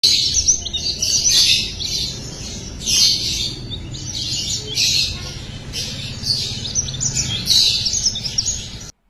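Flame-breasted Sunbird singing high, thin, rapid twittering phrases in bursts about every one to two seconds, over a low background hum.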